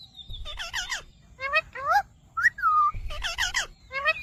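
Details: Rose-ringed parakeet talking in a squeaky, nasal voice, repeating the two-syllable word "mitthu" in quick bursts with bright whistled notes between them.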